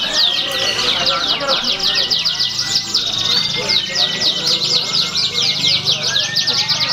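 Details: Canary competing in a singing contest, Pringsewu, 22 September 2019, nominated as a winner. Bursts of rapid V-shaped chirps form rolling trills, and several birds sing at once over faint background talk.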